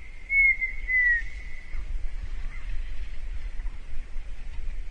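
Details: Red-winged tinamou song: a clear whistled phrase of two drawn-out notes, the second sliding slightly downward, over a low rumble of background noise.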